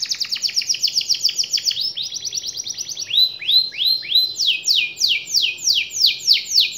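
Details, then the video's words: Prolific 'gacor' canary singing to prompt silent, lazy canaries to respond and roll: fast high trills of downslurred notes, switching to slower swooping phrases repeated about three times a second, bright and continuous throughout. "KENARI Diam dan Malas Bunyi Langsung Nyaut dan Ngerol Kalau Dengar Suara KENARI GACOR satu ini"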